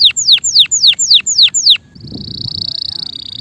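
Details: Male canary singing: seven descending whistled notes repeated about every quarter second, followed by a steady, high, buzzy trill.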